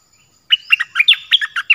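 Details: Short burst of Dok Taeng bird song: eight quick, slurred chirps rising and dropping in pitch, packed into just over a second.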